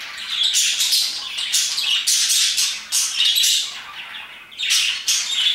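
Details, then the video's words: Parakeets chirping around 2pm, a loud, continuous flock chatter of high, harsh chirps and squawks arriving in rhythmic bursts roughly every half second to second. "Parakeets chirping and singing their hearts out"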